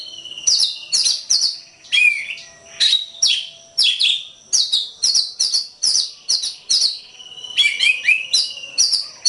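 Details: Oriental magpie-robin singing, recorded for training other songbirds: bright, varied whistled phrases with sharp scratchy notes and some lower falling whistles, delivered in quick, closely spaced bursts without pause.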